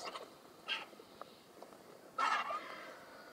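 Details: A young White-headed Vulture at Saruja, Gambia, gives two harsh, rasping bursts, a brief one and then a longer, squealing one with a thin whine. Faint background rustle throughout.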